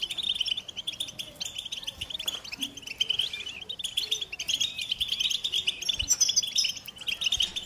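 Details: Continuous high twittering song of the American goldfinch. Crowded chirps and trills carry on with a short dip in the middle, then a bright, thin, higher phrase late on.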